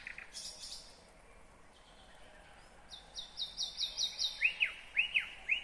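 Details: Nightingale singing in Kyrgyzstan in 2020: after a quiet start, a run of bright repeated high notes turns into loud, sweeping downward-slurred whistles, about two per second, over faint background hiss.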